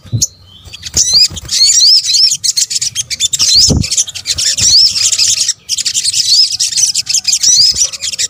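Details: Sunbird, known in Indonesia as sogok ontong, in a lure recording combining its sounds. A continuous high, sizzling chatter with repeated quick rising whistles, one short silence and a few dull knocks.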